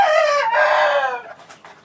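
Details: Phoenix rooster after rain, 20 January 2013: a loud, rich crow in two drawn-out parts, each with strong harmonics, the second falling gradually in pitch and fading, followed by faint scratchy noises.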